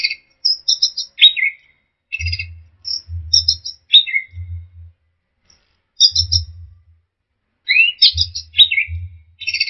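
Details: Lure recording of orange-headed thrush song meant to restart singing in stressed birds that have gone quiet: bursts of sharp high chirps and downslurred whistles separated by silent gaps, with a low hum beneath some phrases.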